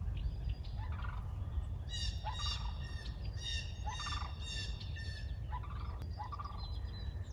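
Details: Cranes, possibly sandhill cranes, flying high overhead in April, give loud, rolling, trumpeting bursts, four or five in quick succession, over a steady low rumble of wind.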